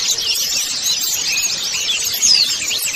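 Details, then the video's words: A colony of white-eyes twitters in a dense, continuous high-pitched chorus of quick overlapping chirps and thin whistled notes, with no pauses. "pancingan pleci agar buka paruh"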